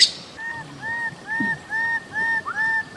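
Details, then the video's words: Bird-of-paradise calling with a steady run of short, arched, mellow whistled notes repeated about twice a second, even in pitch, over a quiet murmuring background. "Bird of Paradise Calling Sound"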